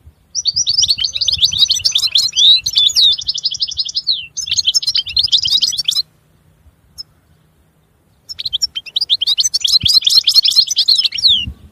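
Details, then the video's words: European goldfinch giving long runs of rapid chattering, tinkling notes, a silent gap of about two seconds mid-way, then another extended twittering burst; very clean background. "Chant Chardonneret تغريد طائر الحسون"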